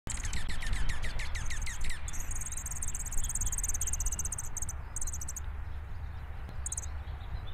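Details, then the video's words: Junco in spring, among juncos chasing each other before migrating, gives a quick, dry trill of about fifteen rapid, downslurred notes lasting two seconds, followed by a steady high insect buzz and low wind rumble. "Junco trills"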